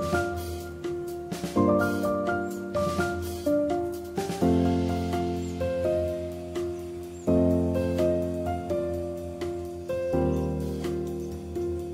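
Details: Instrumental music with mallet tones and light drums, with no animal voice to be heard.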